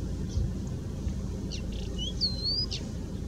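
A European stonechat sings a few brief, high, scratchy notes and a quick thin whistled phrase, set against a steady low rumble of wind.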